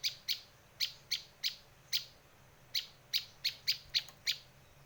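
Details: Luring call of a Bar-winged prinia: crisp high chips given singly and in pairs, slightly irregular, about one note per second at first and then tighter clusters near the end, with little other sound.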